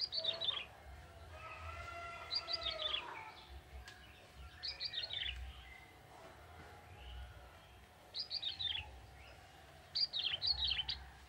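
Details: Song of a young wild male bar-winged prinia in forest, short bright twittering phrases repeated every two to three seconds, each a quick descending run of high notes, with faint low rumble beneath.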